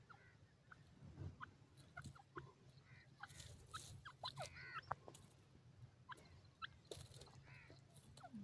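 Partridge chicks give short, sharp chirps and quick rising squeaks at an irregular pace, several overlapping, over low rumbling background noise and a few clicks.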